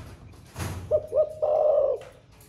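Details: A caged spotted dove of the thổ pha voice type, known to coo all day, gives one low phrase: two short rising notes, then a sustained wavering coo, after a brief rattle of noise.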